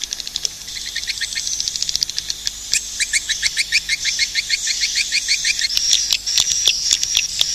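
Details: Swiftlet calls: a long series of quick, high, twittering chirps, roughly three per second, rising and falling in loudness, with scattered sharp clicks and a bright hiss toward the end.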